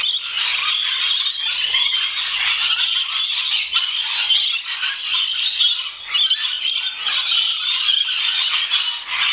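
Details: Rainbow lorikeets at feeding time in a noisy flock: a continuous overlapping chatter of shrill, rasping screeches and squeals with no pauses.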